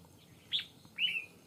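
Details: Red-whiskered bulbul set in a fighting trap against a wild bird gives two clear, bright whistled notes in quick succession. The first is short and dropping, the second longer and slightly warbled.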